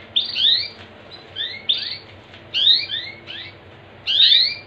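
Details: Singing canary, played to get other canaries singing: clusters of quick rising whistled slurs, doubled high and lower, repeated in bursts roughly every second and a half against a quiet background.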